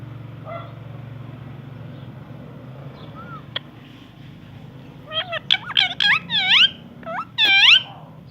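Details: A parrot says "I love you" and "good morning", a burst of squawky, wavering syllables with sliding pitch over a steady low hum.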